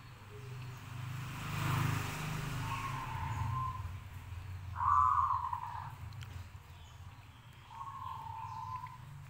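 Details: Zebra dove of a local strain singing non-stop to draw replies from others; three cooing, burry phrases rise above loud passing traffic rumbling in the background.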